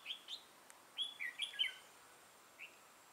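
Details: Red-whiskered bulbul kept as a decoy for trapping, 6 November 2018: a string of short, clear, slurred whistled phrases, each a fraction of a second, spaced irregularly, then a softer single note.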